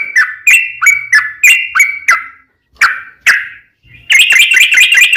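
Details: Lure song of a yellow-vented bulbul, meant to prompt other bulbuls to sing: rhythmic falling chirps, a brief pause with two slurred notes, then a dense, harsher burst of rapid notes.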